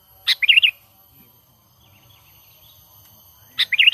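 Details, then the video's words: Lure call of a sooty-headed bulbul for trapping, a natural call with no other bird songs added. A short liquid phrase of four or five rolling notes repeats after about three seconds of near silence. "Pikat Burung Kutilang ISTIMEWA Full Gacor,Panggilan Alami Tanpa Isian"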